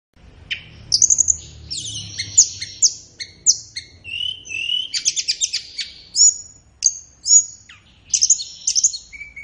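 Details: Flowerpecker master song for training captive birds, best played in morning or afternoon: rapid high thin chips and short sharp whistles, clustered in quick bursts, with one lower buzzy phrase midway.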